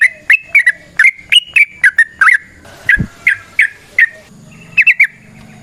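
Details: Sooty-headed bulbul (trucukan) used as training lure, giving clear whistled, slurred notes in quick bubbling clusters, some rising then falling, with pauses between phrases.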